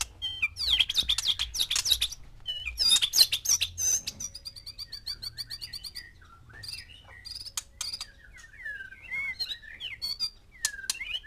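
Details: White-rumped shama, a caged male kept with six females to stir mating; bursts of rapid high chirps and trills, then varied whistled phrases and sweeping notes, with low background hum.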